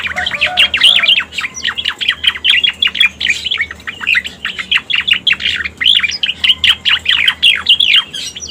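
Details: Striated grassbird calls for trapping birds: a long, unbroken chatter of sharp downslurred chirps, steady and loud from start to end.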